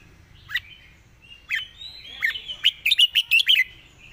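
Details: Red-whiskered bulbul, a caged songbird, building up a fast competition song: scattered sharp chirps at first, then a dense burst of quick whistled notes, about three per second, ending in a tight rattle-like run.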